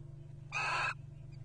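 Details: A wild Little Owl courting at a nest box in 2023 gives one short, harsh, broadband screech lasting under half a second, over a faint steady hum.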